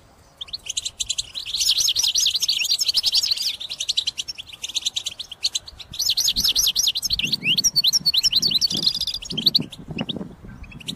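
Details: Caged European goldfinch pouring out a vigorous song used for trapping: dense, tinkling twitters and quick rising-falling notes in long rapid phrases, over a steady low background hum and some low knocks.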